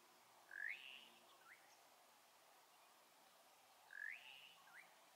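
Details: Vulturine guineafowl from a flock on the Laikipia Plateau, Kenya: two rising, squeaky notes about three and a half seconds apart, each followed by a shorter, softer note, over a faint background hiss.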